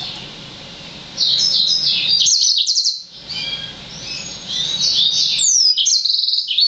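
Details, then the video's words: Six-month-old Yellow-fronted canary (Green singer, Serinus mozambicus) x Black-throated canary (Serinus atrogularis) hybrid, song expected to improve when mature, sings a fast, high, continuous warble of trills and chirps with rapid twittering phrases and a few clear upslurred whistles. "Yellow-fronted canary (Green singer) X Black-throated Canary"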